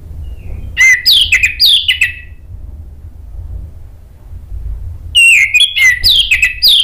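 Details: Orange-headed thrush lure song used in Indonesia to get other thrushes singing; two bursts of rich, sliding, warbled notes separated by a quiet gap of about three seconds.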